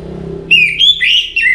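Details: Loud whistled song of an orange-headed thrush before morning: slurred, rising-and-falling high notes in three connected phrases, after a soft low background hum.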